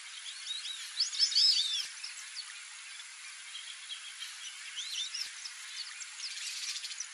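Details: White-faced whistling ducks in the Pantanal give high, clear whistles in overlapping bursts, loudest near the start, with scattered fainter whistles after and a steady hiss behind.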